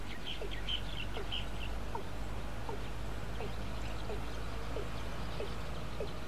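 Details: Male watercock calling while fully hidden, Ayutthaya, Thailand, 20 May 2014: a series of short rising notes repeated roughly every half second, with steady low background hum and faint higher chatter of other birds.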